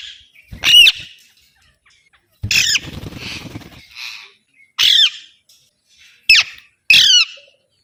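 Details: Alexandrine parakeet calling in loud, grating squawks: one near the start, then three short harsh bursts in the later seconds, with a softer rustling noise in between.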